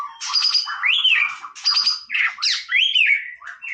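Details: Varied song of a white-rumped shama: scratchy bursts alternating with clear arched whistles that rise and fall, delivered rapidly with almost no gaps.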